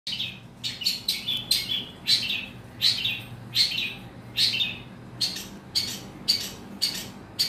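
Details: Long-tailed shrike, used to spur sluggish, unexcited shrikes into agitation so they join in singing; harsh, scratchy chirps in short irregular bursts, about one or two per second, over a low steady hum.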